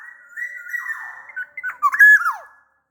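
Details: Black-naped oriole from Sumbawa producing a long sustained flute-like whistle. It breaks into quick jerky notes and finishes with a clear descending slur, in a quiet indoor setting.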